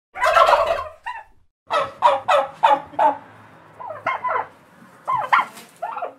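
A turkey gobbles in a rapid, rattling burst of throaty notes, followed by several softer, wavering yelps and clucks.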